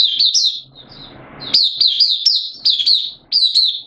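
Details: Oriental white-eye kept caged for the bird hobby, opening song session 8 September 2022, form slightly down: high, thin chirps and short twittering phrases in quick succession, a brief quiet gap with soft low noise.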